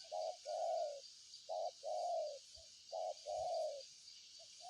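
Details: Spotted dove calling in paired coos, a clipped note then a longer soft hoot, three times in quick succession, over insect drone and a faint knock.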